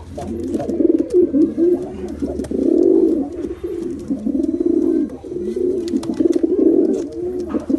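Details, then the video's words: Pigeons cooing, low throaty rolling coos that swell and fade in bursts with brief pauses between them, several overlapping, and faint scattered clicks in the background. "Pigeon Sound Effect | High Quality Impressive Sound | Pigeon Sound"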